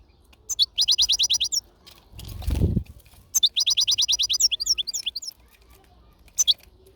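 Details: European goldfinch in a natural setting, giving quick runs of high, tinkling, repeated notes in two main bursts, broken by a brief low thud or rustle.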